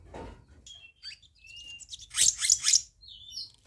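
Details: Black-naped monarch lure recording: soft thin whistles lead into a loud, harsh, buzzy triple burst, then a brief high whistle.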